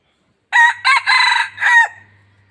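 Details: A Lao decoy red junglefowl, used for luring wild birds, crows once. Four bright, hoarse segments, the third longest, run for about one and a half seconds over a soft low hum.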